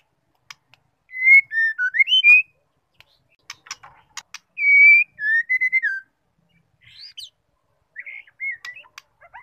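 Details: Female white-rumped shama giving clear whistled phrases that slide up and down, in short bursts with brief pauses and sharp clicks and chips between; this female song is used to provoke males into singing.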